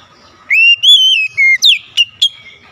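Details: Oriental magpie-robin song for luring other magpie-robins into singing: pure, steady whistled notes in quick succession, the later ones turning into sharp upward flicks.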